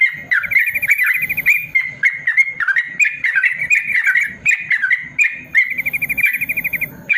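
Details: Sustained ropel song of a yellow-vented bulbul, a tutor sound for birds slow to sing; fast, continuous chattering and rattling trills with barely any gaps, over a steady low rhythmic pulsing.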